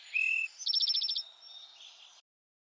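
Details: Eastern Towhee calling from a branch in fog on a spring bird walk: a clear whistled note, then a quick bright trill of about nine notes fading into a softer buzzy tail, an abbreviated 'drink-your-tea' song.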